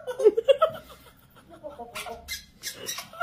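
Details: A free-roaming three-year-old grey parrot, after being told no, gives a quick run of squeaky, speech-like syllables, then a few sharp hissing bursts and faint rustling.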